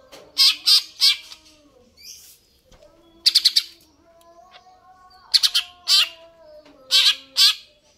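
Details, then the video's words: Energetic greater green leafbird song: clusters of three or four rapid, sharp, high chirps repeated every one to two seconds, with faint steady low tones running beneath. "cucak ijo"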